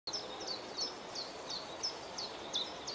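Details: Common chiffchaff singing at Beemdkant, Wijnegem, Belgium, 26 June 2020: steady 'chiff-chaff' song of high, clipped notes alternating slightly in pitch, about three each second, over a soft hiss of outdoor noise.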